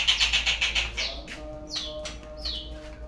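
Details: Lure song of a white-rumped shama meant to set birds singing: a fast run of repeated chirps, then three separate clear whistles, each sliding downward and spaced about half a second apart.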